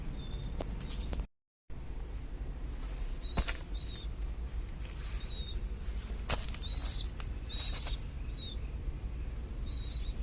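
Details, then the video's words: Young pigeon chicks, still growing, make sharp high squeals in short clusters, mostly toward the end, broken by loud rustling and flapping bursts against constant low background hum. "Baby Pigeon Chicks Sound"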